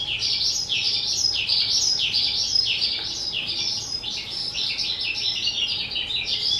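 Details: Skylark, a two-year-old pet bird, recorded 18 April 2023: a long stream of fast, jumbled twittering notes that rise and fall without pause, bright and high-pitched, over a quiet low hum.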